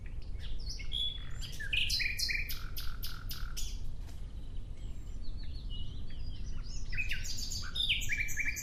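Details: Nightingale in full song outdoors, delivering rich, varied phrases of rapid clicking notes, sharp chirps and bright whistled slurs in quick succession, with short pauses between bursts, over a constant low background rumble.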